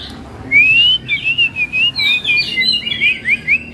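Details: A captive male Pekin robin (red-billed leiothrix), large-bodied and in full song form, sings loudly: a fluid warble of rising whistled notes and quick slurred phrases, delivered without pause over faint background hum.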